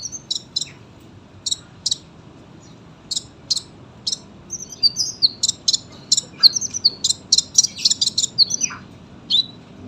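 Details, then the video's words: Captive sunbird in full song, used as a master recording for training birds: thin, high, clipped chirps, first spaced out, then packed into a rapid, dense run of sharp notes and quick downward-flicking whistles. "KOLIBRI GACOR PANJANG SUARA RAPET"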